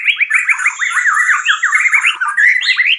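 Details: Caged white-rumped shama in breeding condition: a rapid string of scratchy notes, each sliding downward, repeated many times over a thin, high, steady whine.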